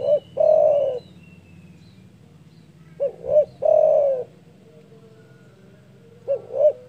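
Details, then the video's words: Loud spotted dove calling, said to provoke rivals: repeated phrases about three seconds apart, each with two short low hoots and a long, smooth coo. A low rumbling background is present. "DERKUKU GACOR DOR SUARA BESAR MEMBUAT EMOSI LAWAN"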